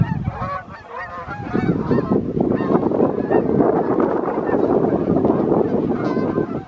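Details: A flock of Canada geese honking as they fly over in the evening, summer or fall 2020; many overlapping nasal honks, quick and uneven, over a dense low background roar.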